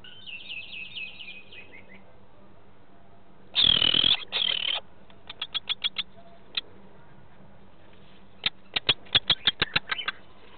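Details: At the Elyakim nest in March 2013, a male Lesser kestrel insists on offering prey to the female while she lays an egg. A soft, rapid chatter gives way to two harsh high bursts, then scattered sharp ticking notes in quick series.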